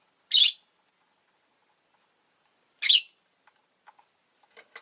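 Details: Rosy-faced lovebirds, two birds clustered at an entrance, give two loud, grating chirps about two and a half seconds apart, followed by soft clicks and faint scratchy sounds.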